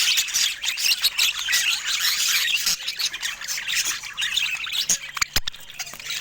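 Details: Rare-mutation budgerigars in busy, overlapping high squawks and warbled chirps that form steady chatter, thinning out near the end with a few sharp clicks.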